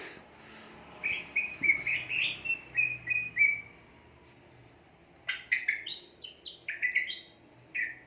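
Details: Greater green leafbird singing energetically: a string of short warbled whistles around mid-high pitch, a pause, then a burst of varied rising and falling chirps and sharp notes; low background hum.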